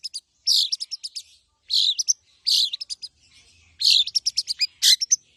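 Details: Long-tailed shrike, a tame bird singing actively with rich borrowed phrases, used to prompt other birds: dense bursts of squeaky, jumbled high notes broken by short pauses, each burst lasting under a second.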